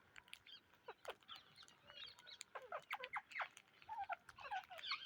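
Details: Indian ringneck parrots chatter in a busy stream of short, squeaky and harsh chirps, some rising or falling, overlapping irregularly throughout at a moderate, fairly quiet level.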